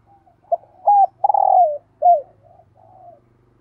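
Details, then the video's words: Lure spotted dove with 'thúc gù' cooing. A soft coo leads into a loud sequence: a short note, an arched coo, a long rolling descending coo and a curved note. Gentle trailing coos end the phrase, over a faint low background hum. "Tiếng Chim Cu Gáy Thúc Gù - Chim Cu Mồi"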